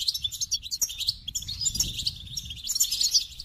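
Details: Goldfinch singing a bright, hurried medley of chirps and short trills, one phrase flowing into the next with barely any break; quiet low-pitched background noise.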